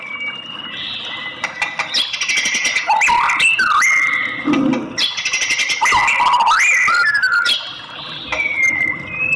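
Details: White-rumped shama, described as a female summoning a male to sing; bursts of rapid buzzy trills alternating with swooping whistles and harsh notes, with a short quieter gap.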